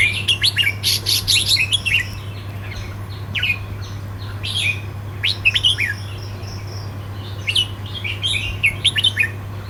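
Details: Red-whiskered bulbul from the southern region in 'sai nap dok' (counting-flowers) singing style, valued for rhythm: repeated lively phrases of sharp, tumbling whistles, four clusters with short rests between, over a low continuous hum.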